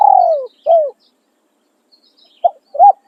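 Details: Decoy spotted dove giving khan riak and khan yon crowing: the end of a long downward-sliding coo and a shorter falling coo, a pause, then a clipped coo and an arched coo starting the next phrase.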